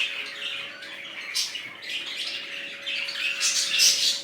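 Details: A colony of budgerigars, new to their enclosure, giving rapid scratchy chirps and squawky warbles that swell louder toward the end, a faint steady hum running underneath.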